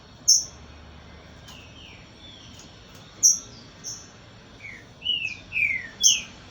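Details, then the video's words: Green-winged saltator from a breeding facility giving clear whistled notes, several sharply down-slurred and some high and piercing, spaced irregularly over about six seconds with a pair of quicker slurred notes near the end, over a faint steady hiss. "TRINCA FERRO"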